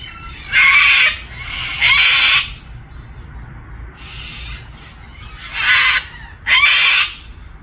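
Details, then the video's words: A cockatoo gives harsh, raspy screeches, four loud ones each under a second, with softer squawks between them over a low background hum. "funny cockatoo making some noise!"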